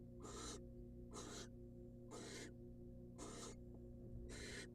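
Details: Wild female barn owl being given a rat by the male in a nest box, producing five breathy, hoarse hisses at irregular intervals near one second, with low steady electrical hum.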